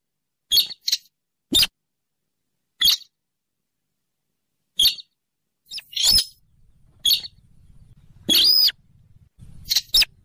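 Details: Rail lure for trapping, a Rallidae bird of marshes beside rivers and lakes: brief sharp high squeaky notes repeated irregularly, around 46 per minute, one longer harsh squeal, faint low hum later.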